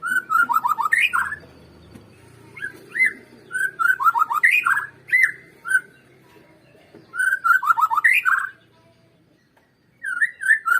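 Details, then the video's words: White-rumped shama singing as a lure recording to get caged birds singing loudly: repeated phrases of clear whistles and rapid falling notes, in three or four bursts separated by brief silences. "PANCINGAN Murai Batu Agar BUNYI GACOR"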